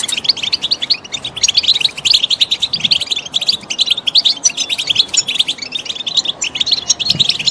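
A goldfinch sings a fast, unbroken stream of high, tinkling twitters and buzzy trills, with notes tumbling several times a second.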